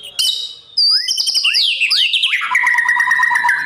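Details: White-rumped shama singing a training song for competition: high rising whistles and rapid notes cascading downward into a long fast trill at lower pitch.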